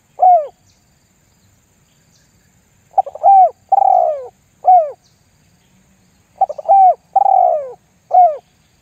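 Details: Spotted dove calling as a lure to get other doves cooing: an arched coo, then two full phrases of stuttering notes, a long falling purr and a closing bent coo, with clear pauses between.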